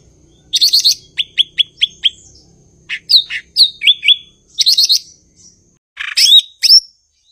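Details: Blue-winged leafbird, local name cucak ijo, sings a chattering burst followed by a run of five evenly spaced downslurred whistles, then varied slurred phrases, buzzy trills and a clear ringing whistle.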